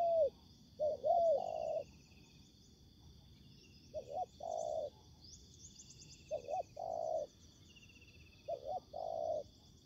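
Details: Wild and decoy spotted doves during ground trapping, an aggressive wild bird engaging the decoy. Groups of quick short coos run into a longer, fuller coo, in three bursts separated by pauses. Faint insect buzz behind.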